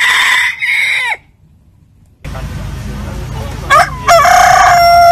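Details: Rooster crowing: a loud crow ends in a falling tail, and after a noisy, hissy gap a second crow starts with short stuttering notes before settling into a held tone.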